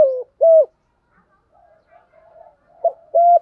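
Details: Spotted dove used to train decoy doves: two mellow coos, the first sliding down, followed by a pause with soft low murmuring, then two more coos starting the next phrase.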